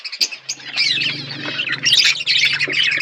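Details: Budgerigars in a flock eating food: warbling chatter and squawks over a steady low hum, louder overlapping calls in the second half.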